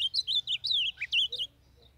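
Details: Blue-black grosbeak from northeastern Brazil, a young male singing as a warm-up and training recording: a fast, sweet warbling phrase of slurred whistled notes rising and falling, ending abruptly, then near silence with faint low hum.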